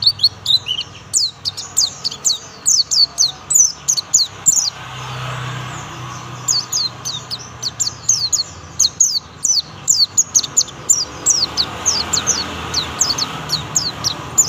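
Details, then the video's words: Young oriental white-eye of the buxtomi type delivering its prized 'tembakan' shooting song: rapid bursts of thin, high, sharply sweeping notes in dense volleys, pausing briefly mid-clip before resuming, over a faint low hum. "pleci buxtomi muda tembakan mewah"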